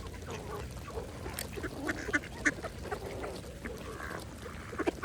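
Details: Feeding mallards at a pond make scattered, irregular quacks, with a couple of sharper, louder calls near the middle against a low murmur of water.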